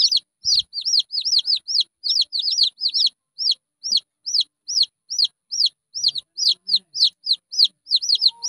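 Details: Shrill arched peeping from a young red junglefowl, fast and uneven, notes sometimes bunched in pairs, with small clicks in the background.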